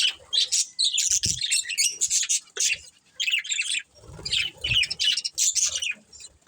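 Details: Budgerigar chirping from a breeding pair: scratchy high chatter in irregular bursts mixed with squeaks, some soft low rustles between phrases.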